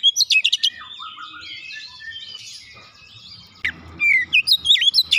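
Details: Kacer, the oriental magpie-robin, singing in a lure recording meant to make birds sing more each day. Sharp whistled chirps open, a quieter warbling stretch follows, then loud slurred whistles and crisp notes return in quick succession.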